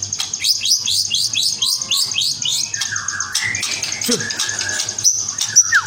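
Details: Spotted-variety white-rumped shama (murai batu trotol) singing: a quick run of bright, downslurred whistled notes, then lower sliding phrases and a sharp falling whistle near the end, over a steady low hum and a faint high tone.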